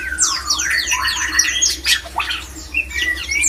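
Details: Male white-rumped shama song used to stir other shamas into breeding condition. Rapid sweeping whistles and buzzy notes tumble together, followed by shorter level whistles, over a faint low hum.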